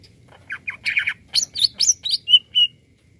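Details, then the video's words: Greater green leafbird song used to excite other birds: a varied, quick sequence starting with scratchy chattering notes, then bright high whistles and two longer steady notes at the end. "Cucak ijo Gacor Untuk Mendongkrak Emosi"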